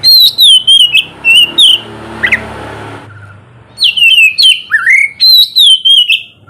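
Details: Oriental magpie-robin song played in the morning to stir reluctant birds: rapid high whistled phrases dropping in pitch, interrupted midway by a passing vehicle's rumble, then resuming with repeated sliding whistles.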